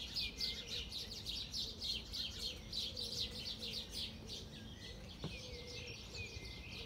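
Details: Sparrows in El Retiro park during the coronavirus lockdown, 18 April 2020: rapid, bright chirps repeated several times a second in pulsing bursts, with a low background rumble.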